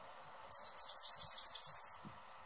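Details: Hummingbird giving a fast, very high-pitched twittering chatter of about eight buzzy notes packed into one and a half seconds, with a faint steady hum in the background.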